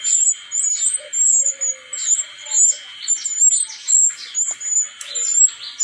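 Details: Brown-chested jungle flycatcher caught wild in Bali delivers very high, sibilant phrases broken by short downward slurs, repeated in bursts about once a second. A steady electrical-sounding hum continues throughout.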